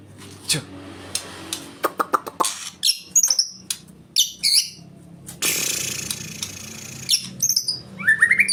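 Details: Forest white-rumped shama song of fast chirps and clicks, thin high upward-flicking whistles, a long hissing rasp in the middle, then a rising whistled flourish at the close; light background hum.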